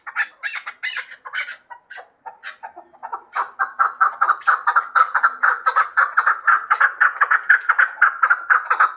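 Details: Hybrid chukar partridge giving a few spaced clucks, then a building, steady series of hoarse chuk-chuk notes about twice per second.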